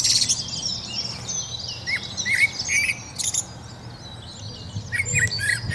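A common blackbird gives high, thin twittering chirps broken by a few short whistled notes, over a low steady rumble.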